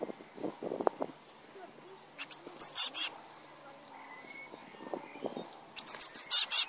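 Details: Nestling Eurasian blue tits calling for food inside a nest: quick clusters of thin, harsh, high-pitched cheeps in two main bursts, preceded by soft low knocks and rustling.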